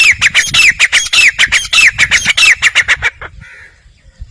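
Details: Grey francolin calling: a rapid series of loud harsh notes, each with a sharply dropping slurred element, about two per second for three seconds, then stopping.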